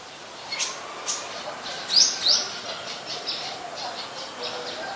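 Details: Brown-throated sunbird (Anthreptes malacensis) in Ubon Ratchathani, Thailand, on 13 January 2021, filmed with a Nikon P1000: sharp, high chirps, with two brief downward-sliding notes near the middle, over faint background calls and steady hiss.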